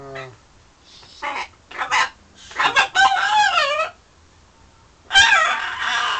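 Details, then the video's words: Pet parrot in a London home flirting with its reflection in a mirror and with birds out the window; a run of varied chattering calls, some with wavering, sliding tones and others harsh, separated by short pauses, after a brief low voice at the start. "My bird flirting in the mirror & to others out the window"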